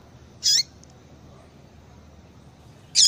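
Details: Two isolated high chirps, about two and a half seconds apart, from a female papa-capim (yellow-bellied seedeater), a call meant to stir a male to sing; near silence between them.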